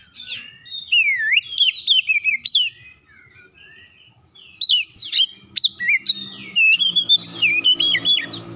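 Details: ['Oriental magpie-robin singing as a lure to provoke other magpie-robins into song: fast, varied whistled phrases with swooping slurs and quick chips, a short pause near the middle, then a dense run of rapid notes over a faint low hum.']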